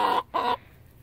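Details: A hen, the only growler in the flock, gives two loud, harsh, throaty growls in quick succession, each about a fifth of a second, in a chicken yard on a sunny spring morning.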